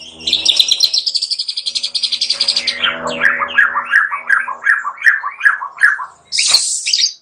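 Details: Song of a white-rumped shama: a long high rattling trill, then a series of about ten descending slurred whistles repeated almost three times a second, closing with a sharp high burst.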